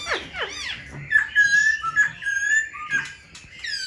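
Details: Black-throated Laughingthrush, kept in a cage and offered for sale, tail fanned and wings dancing. Two quick falling sweeps open, followed by a long, level, pure whistle with short breaks and a bright rising note to close.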